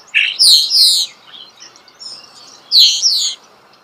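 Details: Close natural recording of a starling: two bright bursts of squealing, descending whistled notes in quick series, separated by a quieter gap of soft chatter.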